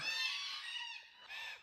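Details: Two red-tailed black cockatoos, heard but hard to see, near a free camp at Jarrahdale, Western Australia; a harsh, drawn-out harmonic call lasting about a second, then a shorter second call after a brief pause.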